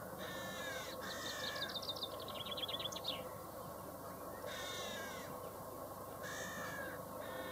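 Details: Common chaffinch singing: several short chirped notes, then a fast trill of accelerating notes that descends and ends in a brief flourish. Separate short chirps follow, set against steady low background noise.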